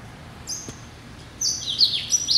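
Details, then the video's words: Captive Yelloweye × Timbrado hybrid finch, hatched November 2012: a faint high note, then after a short quiet gap a loud burst of fast, sharp descending twitters and chirps. "Hybrid Finch ...Yelloweye & Timbrado"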